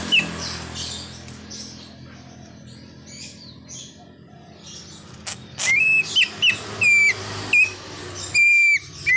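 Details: Song of a greater green leafbird with many mimicked sounds, a car horn among them. A faint early note, a quiet stretch of distant twitters, then six loud whistles in quick succession, the last one long and steady.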